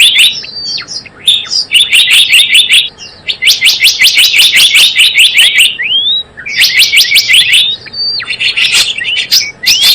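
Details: Trapping lure of a Java sparrow: continuous high chattering chirps broken by rapid clicking trills and occasional rising whistled notes, delivered in long bursts with short breaks.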